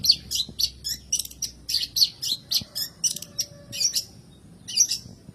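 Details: Long-tailed shrike song, a lure for birds that rarely sing: clusters of sharp, harsh high notes repeated in quick groups, easing off near the end.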